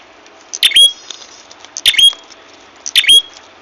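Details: Ashy tailorbird lure call for catching birds, three sharp squeaky bursts, each sliding into a short high whistle, with soft ticking sounds between them.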